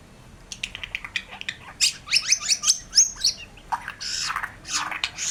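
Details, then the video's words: White-rumped shama song opening with rapid ticking notes that build into a fast, loud series of sweeping whistles and ends in harsh, noisy rasping phrases. "suara burung murai batu gacor"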